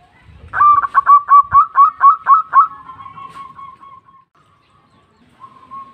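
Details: Calling zebra dove, local bird, recorded as a lure: brief low rumble, then a rapid string of clipped cooing notes trailing into a long even drawn-out coo, with a fresh note at the end.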